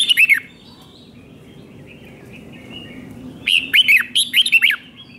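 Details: Red-whiskered bulbul delivering a doubled, five-syllable song meant for young birds to copy. A short burst of bending whistles opens, a soft pause follows, then a lively string of five bright, swooping notes.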